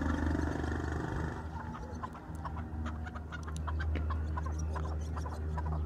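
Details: Farmed chukar partridge giving rapid, sharp clucking notes, roughly four a second, over the last four seconds after a noisy start, with a steady low hum throughout.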